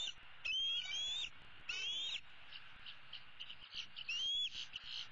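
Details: Bald eagle chick, the older female eaglet of 2016, roosting and begging her parents for food on 15 April: three drawn-out shrill whistles that climb and bend down, spaced unevenly, with soft chatter and hiss between them.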